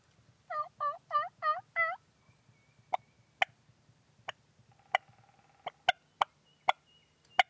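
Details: Eastern wild turkeys, a bearded hen and a jake, filmed in Pennsylvania on March 21, 2009: five quick, raspy yelps in a steady run, followed by sharp scattered clicks and snaps.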